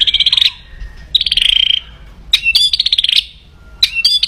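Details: White-rumped shama, loud aggressive crackling used to raise rivals' fighting spirit; high rapid rattling trills in bursts of about half a second, repeated four times with short silent gaps.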